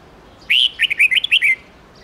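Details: Red-whiskered bulbul, an old wild bird's bright 10-12-13 note song, played to train young birds. One quick phrase of clear whistled notes, a long opening note, then about six short rising and falling chirps, over a quiet background.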